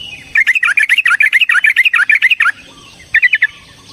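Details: Yellow-vented bulbul giving a long rolling fighting song meant to provoke another bird: a fast chattering run of about twenty sharp warbled notes over two seconds, a pause, then a brief burst of four more.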